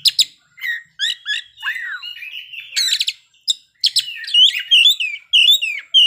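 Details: Oriental magpie-robin (kacer) in full, energetic song, showing off its fill-in repertoire: a rapid, varied stream of sharp high whistles, chirps, down-slurred notes and buzzy trills, broken by brief pauses between phrases, with no other clear sounds.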